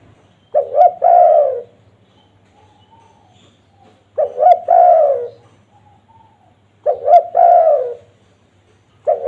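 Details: Wild-dove lure recording of a spotted dove: three full phrases about three seconds apart, each two brief notes leading into a sustained descending coo. A fourth phrase begins at the end.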